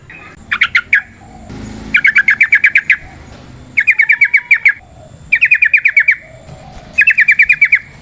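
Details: Wild yellow-vented bulbul giving its rapid lure song: five short bursts of quick, sharp chirps, each under a second long, repeated about every one to two seconds with quiet gaps between.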